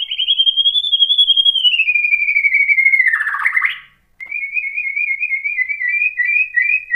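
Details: White-rumped shama song meant to provoke rival shamas into answering: long, clear whistled notes gliding downward, a short burst of chatter, a brief pause, then a steady, rapidly quavering whistle.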